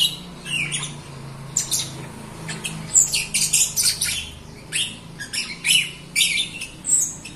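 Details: Jalak Rio myna in full song, kept to prompt other Rio mynas that are slow to sing; scratchy high chirps and squawky notes come in clusters, some pauses between, over a steady low background hum.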